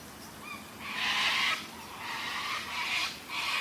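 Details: White cockatoos squawk as rain and thunder begin after a brewing storm. They give four harsh, grating, raucous screeches in quick succession, some overlapping, over a soft background hiss of rain.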